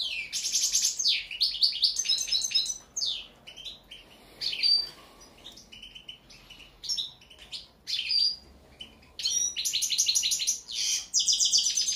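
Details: European goldfinch singing a lively, tinkling medley of high twittering trills, buzzy rattles and clear whistled notes in bursts separated by short pauses, with quiet background.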